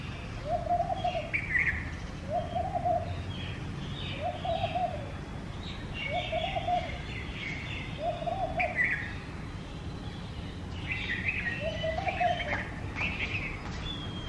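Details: Laughing dove nesting in a garden, calling in front of a home with soft, low coos, six phrases about two seconds apart; higher chirps and twitters from Common Myna and Red-vented Bulbul are heard with a steady background hum.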